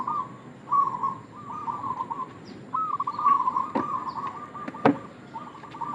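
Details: Local zebra dove in vigorous voice, a lure call used to attract other doves: rolling, bubbly cooing trills in short phrases separated by brief pauses, with a couple of sharp clicks in the background.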